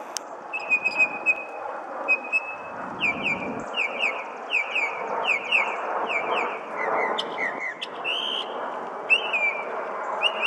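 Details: Wild northern mockingbird singing from a parking lot at Colonial Place, Arlington, Virginia, on the evening of June 3, 2019: varied phrases of rapid repeated chirps, trills and whistled notes, each pattern repeated several times, over constant traffic noise.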